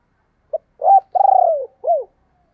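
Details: A single phrase of spotted dove 'thúc + gáy gọi': a quick short note, then a rising hoot, a long pulsing coo that drops in pitch and a final arched coo. The setting is quiet.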